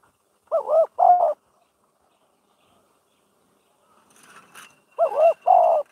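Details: Spotted dove used as a decoy for trapping gives a mellow coo phrase: two short rounded notes followed by a longer drawn-out coo, repeated after a pause, with brief faint rustling between.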